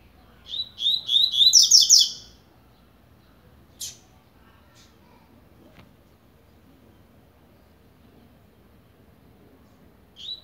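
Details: Blade-style Double-collared seedeater beginning to warm up its song, kept as a caged bird: one quick rattling phrase of high, sharp chips and buzzy trills, then near silence with a few isolated clicks and one short final note.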